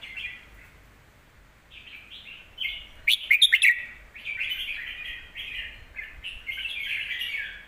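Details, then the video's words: Red-whiskered bulbul in a cage giving song for training young birds: a soft opening phrase, a cluster of sharp chirps, then a continuous stream of loud warbled whistles. "นกเสียงทอง วางเพลงใต้เสียงโตๆ(ไว้สอนลูกนก)"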